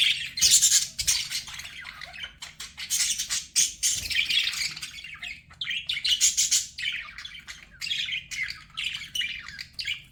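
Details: A lively chorus of pet budgies chattering nonstop, with buzzy high chirps, rapid ticking notes and scratchy warbles pulsing in loudness throughout.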